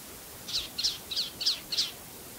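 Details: A male Palestine sunbird at Tanomah, Asir Region, Saudi Arabia, gives five high, thin chipping notes, evenly spaced about every third of a second, over a quiet low background.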